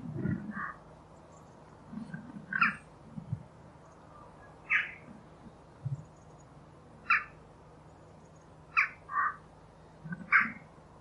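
Jackdaw giving short, sharp 'tchak' calls, singly or in quick pairs, every couple of seconds, over a low background hum.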